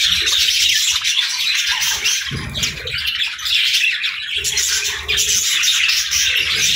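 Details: Budgerigars at morning feeding time: busy, overlapping chirps and warbled squeaks from a group, steady throughout, with some low knocking sounds mixed in.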